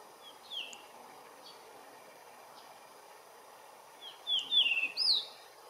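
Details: A short whistled note opens the recording, then after a pause a blue rock thrush at its regular perch delivers a quick phrase of three or four warbling, sliding whistles over faint background hiss.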